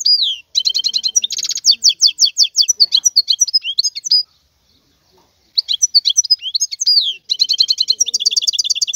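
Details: A wild European goldfinch sings a rapid, tinkling medley of twitters, trills and slurred whistles, with notes repeated nearly three times per second, broken by one short pause.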